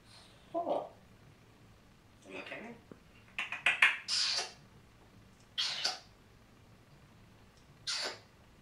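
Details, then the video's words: A talking parrot speaks in short, raspy, high-pitched bursts of speech-like syllables, about six utterances over nine seconds, against a quiet indoor background. "Talking parrot بولنے والا طوطا"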